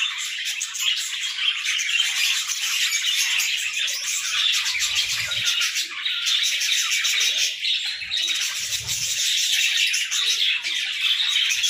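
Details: A flock of pet budgerigars warbling in the morning, a long, even stream of rapid chirping, scratchy clicks and buzzy twitters without a break, with two soft low bumps in the middle.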